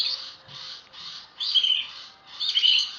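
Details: Oriental magpie-robin in a loud training recording: harsh, buzzy rasping notes repeated about once a second, the later ones louder with a piercing whistled overtone.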